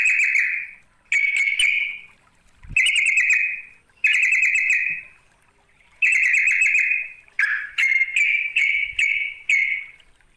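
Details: Rival-luring call of a sooty-headed bulbul: repeated rich, bubbly phrases start abruptly and fade. They end in a quicker run of short, clipped notes, with faint thumps in the background.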